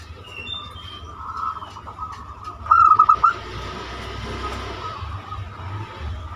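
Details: Banyumili zebra dove singing its lure song for other birds: a single burst of five rapid, rolling coo notes midway, set against a steady hiss and low hum.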